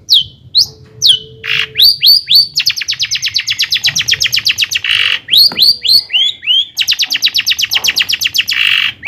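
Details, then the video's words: Energetic long-tailed shrike song, offered as a lure to rile up other shrikes: rapid downward-sweeping notes that become long fast-repeated trills, broken by brief harsh bursts and clipped whistles, at about four notes per second. "kicau CENDET GACOR paling DI CARI cocok UNTUK PANCINGAN CENDET AGAR NAIK EMOSI"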